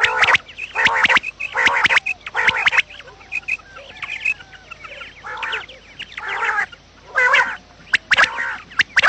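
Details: Morning quail calls recorded for luring quails into traps: harsh, clucking bursts repeated at an uneven pace, with a quieter stretch of faint chirps and high squeaks midway.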